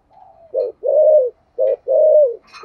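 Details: Spotted dove in the 'giọng thổ' voice, cooing to prompt other doves; a soft lead-in note, then two pairs of a short hollow coo followed by a longer falling one.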